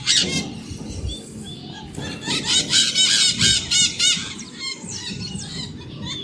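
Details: Maritaca parrots calling almost nonstop: a dense stream of rough, shrill squawks repeated several times a second, loudest in a rhythmic run through the middle, over constant low background noise.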